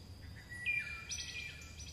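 A chickadee gives a clear, steady whistled note followed by higher, slightly buzzy notes. A faint high hum and soft outdoor noise sit beneath it.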